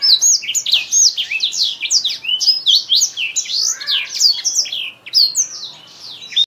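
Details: A Black-throated canary (Botswana type) sings a fast, unbroken stream of high, sweet twitters and quick rising and falling notes, bright and varied throughout.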